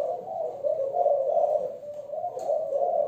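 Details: Young Malaysian-type female spotted dove, 'giọng thổ' voice, producing a continuous low purring coo with gentle rises and falls and a brief click near the end.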